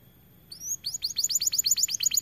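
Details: White AF canary singing energetically: a thin high whistle, then a fast series of bright downward-sweeping notes, about ten a second, held steadily to the end over a quiet background.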